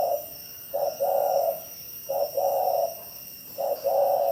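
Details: Spotted dove in Bảo Lộc, Lâm Đồng, giving the 'gáy thúc' call: three quick phrases, each a short low coo followed by a longer, fuller coo, roughly every second and a half, over a steady high electric-like whine.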